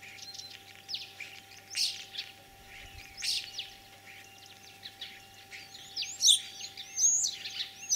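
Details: Common starling in spring song, Kalyazin district, Tver region, Russia, 9 April 2023. Scratchy, rasping bursts build to shrill screeches and bright high whistles near the end.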